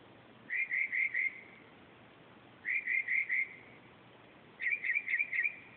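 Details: Mockingbird singing at 2:30 am, recorded on a phone: three phrases of four quickly repeated whistled notes, the last phrase buzzier and more sharply cut, with pauses of about a second between phrases.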